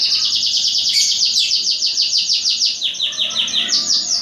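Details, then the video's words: Songbird singing in a competitive training session against other birds, preparing for local or national contests: loud, fast rhythmic chain of sharp downward-sweeping chirps repeated about three times a second, steady throughout. "Cara Melatih Burung Ocehan Untuk Kontes Burung"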